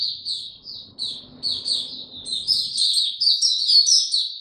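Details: Caged white-eye in open song, given no supplements: high, thin, slurred notes start sparse and quicken into a dense, louder twittering stream, over faint low background noise.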